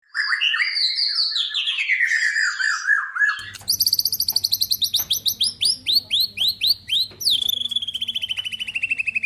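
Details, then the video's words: White-rumped shama song meant to provoke other shamas into singing: a long descending slurred whistle, then a rapid run of sharp, evenly repeated high notes and a fast buzzy trill near the end. "murai batu gacor AMPUH UNTUK pancingan murai batu agar bunyi langsung"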